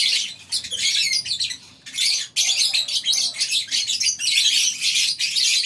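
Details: Crowd of lovebirds in a colony aviary on a farm, morning: shrill squawking chatter in uneven bursts, a quieter stretch near two seconds before loud overlapping calls return.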